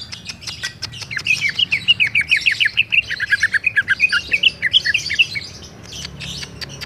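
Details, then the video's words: Rolling song of a greater green leafbird: rapid, varied whistled notes tumbling up and down, about three per second, with scattered sharp ticks and a low background hum. "Cucak ijo bali,Cucak ijo ngerol,Cucak ijo juara,Cucak ijo edan"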